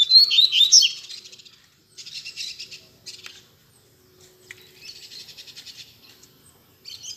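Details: Captive Double-collared Seedeaters (coleiros) singing loudly together, including a friend's bird; bursts of rapid buzzy, trilled high notes in phrases about a second long separated by short pauses, with faint background chirps.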